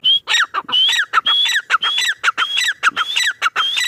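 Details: Loud repeated calling of a male grey francolin: rapid phrases pairing a rising whistled note with a falling lower note, given almost without pause and close to the recorder.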